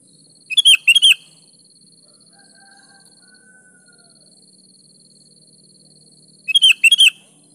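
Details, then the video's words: Sooty-headed bulbul (kutilang) singing in a lively, energetic way, used as a lure to get other bulbuls to answer: a quick burst of four loud, bright whistled notes, repeated once about six seconds later, with a steady faint high hiss. "PANCING SUARA BURUNG KUTILANG GACOR"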